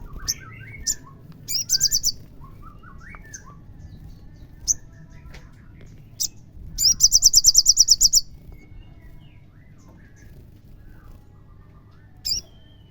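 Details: Olive-backed sunbird song played to provoke a caged bird into singing: two rapid, very high trills of about a dozen sharp notes each, with scattered thin chips and softer lower twittering notes in between over a low background hum.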